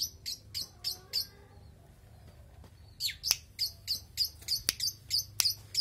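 A long-tailed shrike gives harsh, scratchy high notes, repeated about three times a second in two bursts separated by a brief pause.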